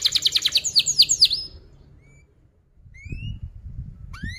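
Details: Canary 'cuit cuit' song as a lure for young canaries: a quick run of high chirps and sharp down-slurred notes for about a second and a half, then quiet with a few faint rising whistles.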